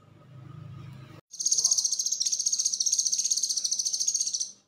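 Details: ['Cucak kinoi konslet song, suited for training other songbirds: a low humming rumble, then a sudden long run of rapid, high, metallic buzzing pulses, steady and loud, ending abruptly.']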